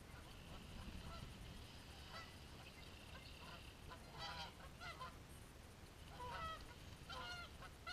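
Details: Geese caught mid-fight: faint at first, then louder bursts of nasal, harmonic honks around the middle and near the end, in quick pairs and triplets, above constant low background noise.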